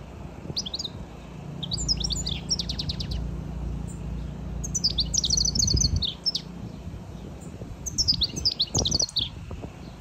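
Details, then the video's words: A European goldfinch sings a bright, tinkling jumble of rapid twitters and liquid trills in high bursts over a low background hum. The song is played to stimulate other goldfinches. "European Goldfinch stimulation effective - Carduelis call- Beautiful Bird Chirping"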